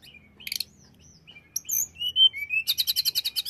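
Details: Hill blue flycatcher song for making other tledekan aggressive. Scattered high notes and slurred whistles build into a rapid, steady series of about ten bright buzzy pulses.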